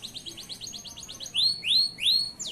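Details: Tutor song of a local male canary for young canaries: quick soft down-slurred notes in a rolling series, then three loud, clear rising whistles.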